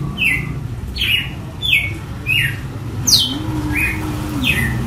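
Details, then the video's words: Seven quick downslurred whistles from a red-cowled cardinal in açoite style, one note notably higher, with a steady low hum and a brief low tonal drone in the background. "AÇOITE DE GALO DE CAMPINA"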